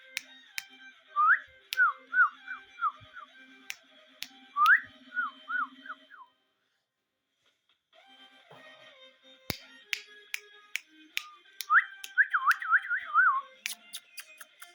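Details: Rose-ringed parakeet kept as a pet whistling bursts of rapid chirpy slurs, rising then dropping, in three clusters separated by a quiet pause, with a constant background tone and frequent sharp clicking taps.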